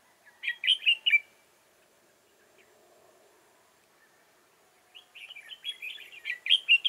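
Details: Red-whiskered bulbul used as a decoy bird for trapping at Chương Mỹ on 7 October 2018. A brief burst of bright warbled notes, a quiet pause, then a longer, rapid run of fluttering, chattering phrases.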